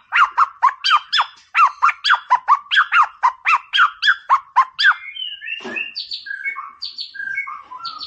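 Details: White-rumped shama, 'Boomerang' style meant to excite a rival: a long even series of harsh chattering notes about four per second, followed by varied whistled phrases at differing pitches.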